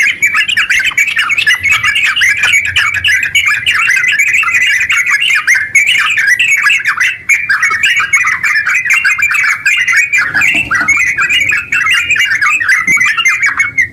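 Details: Yellow-vented bulbul in top singing form, delivering a long rapid nonstop song meant as a lure to get other bulbuls singing; dense chattering, warbled phrases pour out without a break for the whole stretch, with light clicking behind.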